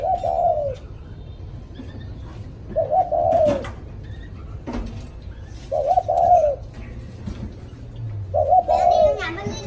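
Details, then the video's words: Spotted dove cooing after a storm in the thúc style: four low, mellow coo phrases, each about a second long, repeated roughly every two and a half seconds over a steady low hum and faint knocks. "Cu thúc sau trận bão"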